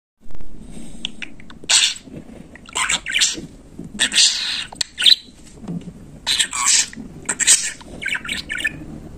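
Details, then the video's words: A pet budgerigar talking, mimicking speech: bursts of raspy, broadband chatter lasting under a second each, separated by short pauses, in a quiet indoor setting. "Bülbül gibi konuşan muhabbet kuşu"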